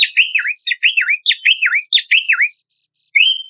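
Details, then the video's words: Horsfield's babbler song from a compilation used as a lure and training material for competition songbirds: four bursts of quick downslurred whistled notes, each burst about half a second, then a short rising whistle after a pause. "PANCINGAN AMPUH PELANDUK SEMAK"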